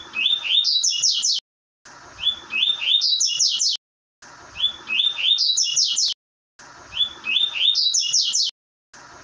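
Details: Double-collared seedeater song of the "tui tui" style, used for training a bird: a phrase of rising whistled notes climbing into sharp high slurred notes, about one second long, repeated roughly every 2.4 seconds with brief silent gaps and faint background hiss.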